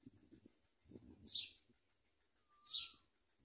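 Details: Common myna chicks hungry for locusts brought by their parents: two loud, rasping high-pitched bursts about one and a half seconds apart, a short falling whistle between them, and faint low rustling.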